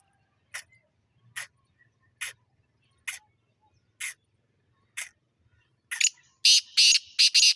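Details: Black francolin of a good breed: sharp single clicks spaced about one second apart lead into a loud, rasping, rhythmic phrase of five or so grating notes at the end. A faint low murmur sits underneath.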